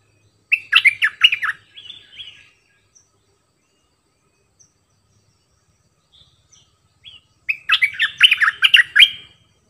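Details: Singing decoy bulbul with a varied repertoire: a jumbled, chortling phrase of fluty slurred notes, a softer trailing note, quiet gap with faint chips, then another fast, bubbling warbled phrase.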